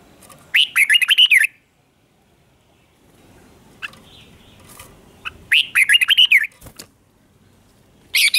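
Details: Morning training song of a red-whiskered bulbul, 'chè' style. Two clear warbled phrases of rapid, rising and falling whistled notes arrive about five seconds apart, with quiet gaps and a few faint single notes between.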